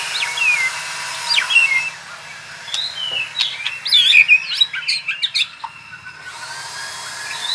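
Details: White-rumped shama practising rolling trills: scattered whistles early, then a dense burst of sharp chips and twittering notes around the middle, quieter whistles near the end.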